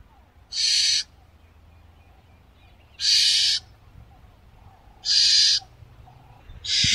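Barn owl giving harsh, hissing screeches, each about half a second long, repeated roughly every two seconds against a quiet background.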